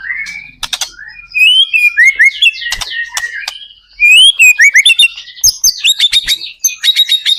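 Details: Energetic white-rumped shama song intended to trigger answering song from other shamas; clear whistled slurs and phrases broken by sharp clicks, with a loud rapid series of high notes toward the end.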